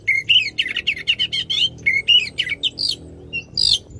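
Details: Oriental magpie-robin singing loudly to spur a silent magpie-robin: a quick chain of clear whistled notes and rising, scratchy chirps, pulsing several times per second, then a few separate higher whistles.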